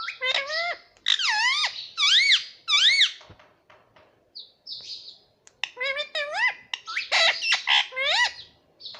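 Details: Pet green ring-necked parrot indoors, said to say mitthu and mummy; repeated rising-falling harmonic syllables in groups of two or three, a short pause, then another burst of fast chattered syllables.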